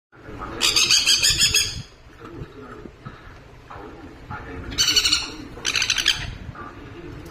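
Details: Tame pet sun conure chick being hand-fed, giving harsh, raspy squawking bursts, one long burst then two shorter ones, with background room noise and people talking quietly.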